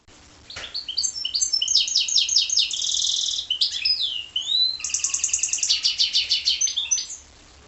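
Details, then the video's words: Goldfinch and canary hybrid singing a fast, varied song: dense trills and rattling buzzy notes, a long ringing trill near the middle, then a rapid sweeping phrase and a run of pulsed chattering notes, with little background noise. "goldfinch x canary"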